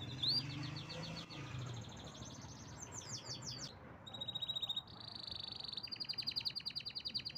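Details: A canary sings a string of rapid high trills, switching between tours of fast pulsed notes and clear steady ringing trills, loud and continuous throughout, with a quiet low hum behind.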